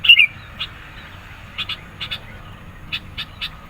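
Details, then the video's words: Sooty-headed bulbul in persistent, energetic song used to provoke rivals and attract birds. A bright warbled note opens, followed by scattered pairs of quick high chirps against a soft low rumble. "SUARA BURUNG KUTILANG GACOR NGOTOT. MENEKAN LAWAN, CEPAT RESPON.."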